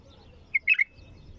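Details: A bulbul gives one brief liquid phrase, a short note followed by a rapid tumbling warble, against a faint low hum.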